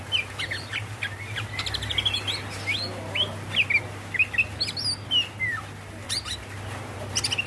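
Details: Calling female greater green leafbird summoning the male: varied whistled slurs and chirps, some rising and some falling, delivered in an irregular, lively series over a steady low-pitched hum.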